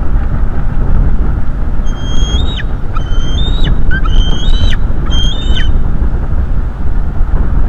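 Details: Bald eagle eaglets, a presumed female and male, at their nest in early May 2022, shortly before fledging, captured by a sensitive live nest-camera microphone: a few high, thin whistled calls that bend upward, over heavy low wind rumble.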